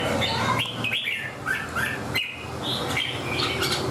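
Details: Caged red-whiskered bulbul singing while fanned out and clinging to the cage bars: quick, bright whistled phrases with rising and falling slurs, several short bursts in a row over a steady low hum.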